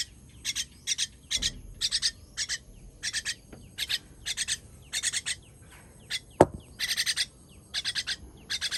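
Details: Young bird being fed, 18.06.23, repeating evenly spaced double and triple harsh chirps, with one sharp click about two-thirds through.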